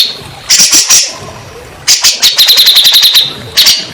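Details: Grey-cheeked bulbul song, used to prompt stressed birds that have gone quiet. A few harsh bursts, a pause, then a quick run of about ten sharp chattering notes ending in a rough burst.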